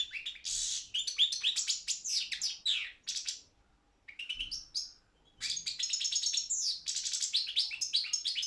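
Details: A goldfinch of subspecies balcanica sings for an internet song contest: lively, high, liquid twitters and scratchy trills in long phrases, with a brief pause midway before the song resumes.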